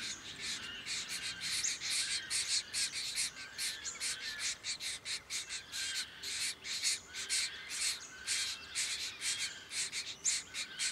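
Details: Diamond firetail, Victoria, Australia, recorded November 2014: a long sequence of scratchy, nasal call notes, about two per second, irregularly spaced and fairly even in loudness throughout.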